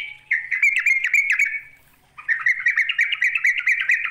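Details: A sooty-headed bulbul calls to challenge a rival with two bursts of hoarse, rattling chatter, fast and buzzy, separated by a short gap of nearly a second. Nothing else is audible.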